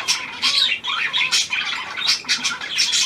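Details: New hand-tame Australian pied budgerigar, recorded 17 February 2023, giving fast scratchy warbled chatter with rapid squeaky notes and short buzzy bursts, almost without pause.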